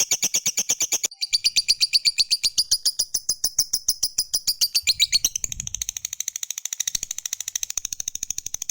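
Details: Lovebird of the fighter type, a long ngekek trill meant to set other lovebirds singing: a continuous rapid run of shrill chirps that shifts slightly higher and thinner partway through, with a soft rumble near the middle.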